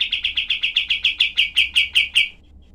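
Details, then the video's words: Cream-vented bulbul used for tutoring songbirds, with tight, sharp, harsh rapid-fire notes. Some fourteen loud, clipped high chirps come in a quick, steady, even series and then fall silent. "masteran kapas tembak"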